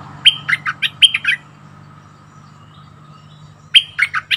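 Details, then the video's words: Bulbul lure call used to attract wild birds: two bursts of harsh, chattering notes with bright whistled starts, about six notes each, separated by a quiet gap of two seconds with a faint steady hum. "Suara pikat merbah lekir"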